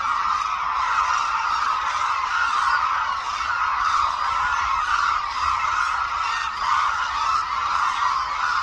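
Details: Hooded cranes by the many at Suncheon Bay Wetland, a renowned habitat, swirling overhead in display; loud, ceaseless overlapping trumpet calls form a dense crowd chorus throughout.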